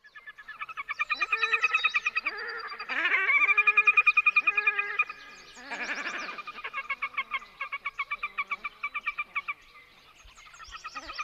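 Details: A pair of Red-necked Grebes duet with loud, braying, laughter-like calls in rapid pulsed runs, overlapping; these calls carry far over open water and accompany aggressive, territorial birds.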